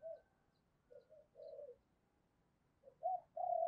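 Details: Spotted dove kept as a lure for wild doves, cooing at a distance over steady background hiss. Soft, broken coos come first, then two louder coos near the end, one rising and falling, the next held level.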